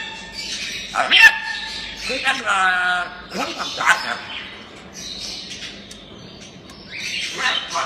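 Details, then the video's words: A playful talking grey parrot mixes harsh squawks with short, speech-like phrases and a few bright whistled notes, over a low steady hum. "ببغاء كاسكو لعوب ناطق"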